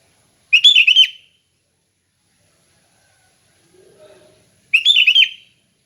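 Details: Sooty-headed bulbul giving relaxed ngeplong song, used for training other bulbuls: two identical bright, liquid warbled phrases about four seconds apart, with a faint low murmur between them.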